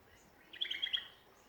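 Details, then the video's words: Australian songbird in a Ballajura, Western Australia backyard giving a short burst of quick warbled high notes, four bright peaks within half a second, over faint background hiss. "Australian songbirds in backyard."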